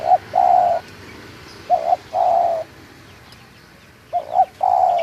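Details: A local spotted dove recorded at Munjung Agung, Kramat, Tegal sings three phrases, each a clipped double note and then a longer level coo, separated by brief pauses in a quiet setting.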